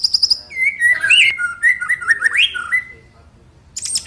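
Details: White-rumped shama provoking song with fill-ins: quick high piping notes, then a rich warbled run of mid-pitched whistles and slurred, twisting phrases, a short pause, and a burst of high chattering notes.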